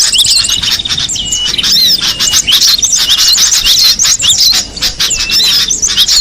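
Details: High chattering song of a cinereous tit in the wild, rapid sweeping whistles and chirps running almost without a break, mixed with further bird calls in the background.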